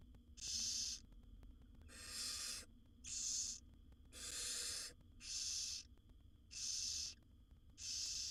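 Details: Barn owl owlets in a wild nest box, mother feeding her seven young: a series of seven coarse hissing screeches, some longer and fuller than others, repeated at a steady pace.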